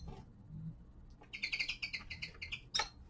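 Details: Young male common linnet in winter, singing its winter descant: a quick run of bright, buzzy twittered notes repeated several times at high pitch, ending in one sharp louder note, over faint low background hum.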